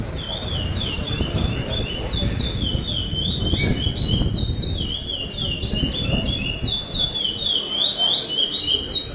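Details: Lesser seed finch singing at a 2008 contest in Bauru, Brazil, the first-place bird in the classic-with-repetition style: clear whistled phrases, rising and falling, repeated in a steady series high above a dense background of crowd murmur and low noise.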